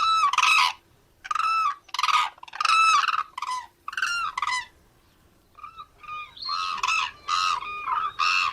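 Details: Crane giving loud, buzzy, harmonic trumpeting notes in quick groups, with a short quiet stretch before higher, more drawn-out calls follow.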